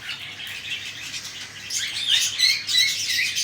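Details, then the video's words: Cockatiel chicks being fed by their parents, giving a rapid stream of raspy, hissing begging notes that swell louder midway, with a few thin high chirps mixed in. "Cocktail Parrot Feeding Their Chicks"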